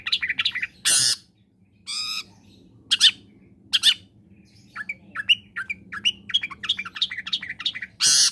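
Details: Long-tailed shrike song combination for prompting quiet shrikes to sing: loud harsh rasping bursts broken by a sharp click, then a busy chattering sequence of short varied notes before another rasp.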